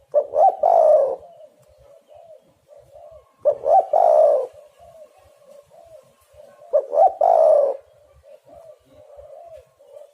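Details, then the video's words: Spotted dove cooing as a trapping lure, three loud phrases of clipped notes and a long rolling coo about every 3.3 seconds, with a soft chain of quiet coos running between them. "derkuku super gacor pikat dapat burung bagus"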